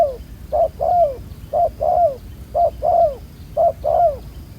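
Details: Newly caught wild spotted dove with black collar spots, a good cooer used in ground trapping, utters regular pairs of low mellow notes, the second longer and sliding down, roughly one pair per second.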